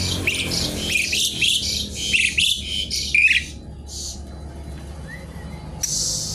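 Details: Javan pied starling singing noisily as if seeking a rival: a dense run of harsh scratchy chatter mixed with squeaky notes, then a pause, a soft whistle and another rasping burst.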